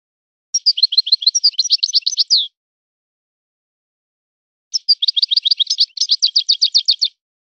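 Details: European goldfinch singing in the Si Hassan song style: two bursts of rapid, high, chirping twitters, each about two seconds long, separated by a four-second pause, with no other sounds.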